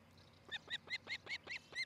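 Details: Osprey at a camera-watched nest in Charlo, Montana, July 2018 morning: a steady string of seven clear, slightly downslurred whistled cheeps, each about a fifth of a second apart, over quiet background.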